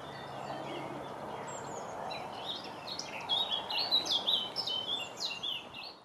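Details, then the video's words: Eurasian blackcap, nicknamed the northern nightingale, singing in May 2018: soft, scratchy twittering for about three seconds, then a loud, rich warble of quick, varied whistled and fluting notes, over a steady broad background hiss. "Blackcap Song"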